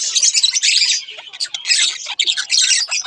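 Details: A budgie pair's short burst of chatter: a long grating warble, a brief dip, then more buzzy chirps and squeaks.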